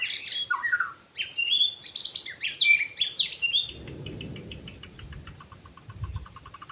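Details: White-rumped shama in the wild, forest recording made while trapping birds: a rapid burst of rich varied whistles and slurs for about three seconds, then a run of soft, evenly repeated ticking notes over faint low rumble.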